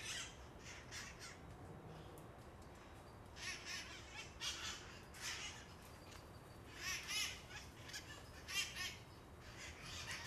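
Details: Free-flying parrots on Telegraph Hill, San Francisco, beside Coit Tower: sparse raspy squawks, some in quick doubled bursts, with a louder cluster of harsh screeches toward the end over low city rumble.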